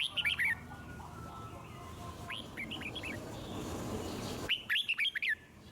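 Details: Red-whiskered bulbul with a wild forest voice, song played to stimulate other birds to sing: short bursts of quick slurred whistled notes at the start, middle and end, separated by a stretch of rough background noise.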